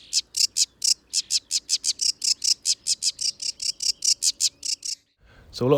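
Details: Sedge warbler song from wet habitat with ditches and ponds at Gibraltar Point, Lincolnshire; loud, high, rapid run of repeated dry chattering notes, about four per second, ending with a brief burst of speech.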